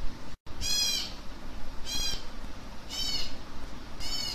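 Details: Baby African grey parrots begging while being hand-fed: four harsh, raspy calls with stacked harmonics, each lasting about a third of a second and coming roughly once a second over a low background hum.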